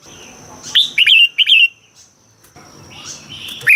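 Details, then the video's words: Red-whiskered bulbul, Thailand, song used to excite caged birds: one rolling phrase of short, slurred whistled notes, followed by quiet and a faint, smeared call at the end. "เสียงนกกรงหัวจุก สำหรับต่อ หรือ เปิดให้นกคึก เสียงเพราะๆ"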